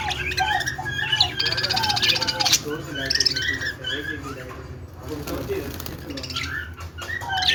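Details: A flock of budgerigars making happy sounds: dense, rapid chattering warble with harsh squawks and clicks, busy and fast throughout, over a low background hum.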